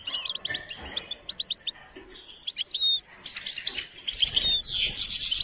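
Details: Singing goldfinch in a training session: quick clipped chirps and twittering notes, then a long thin high whistle sliding slowly downward and ending in a bright buzzy flourish; little background noise.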